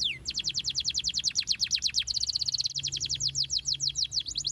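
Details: Canary song meant to get young canaries singing quickly with long rolls: a long, fast roll of crisp repeated chirps, steady and pulsing, briefly shifting rhythm midway before carrying on.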